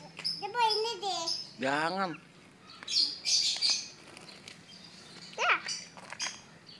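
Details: Javan myna (Acridotheres javanicus) said to be tame and able to talk, giving harsh, harmonic, speech-like mimicry phrases with wavering and rising tones, then scratchy buzzes and a falling squawk, while a person talks nearby.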